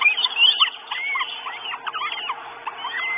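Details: At a nest in Estonia on 1 June 2022, four hungry Northern goshawk chicks call for food: rapid, uneven run of high squealing whistles, some curving up, some dropping, about two to three notes per second.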